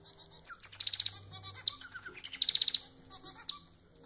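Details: Pet society finch, domestic form, singing a lively phrase: slurred low notes, bursts of rapid high clicks, and buzzy chatter repeated twice within four seconds.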